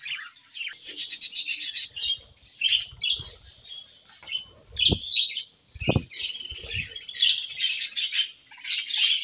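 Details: Budgerigars, a pair in an aviary at morning, keep up a high scratchy warble of quick chirps and clicks, interrupted by a few low thuds and brief quieter gaps.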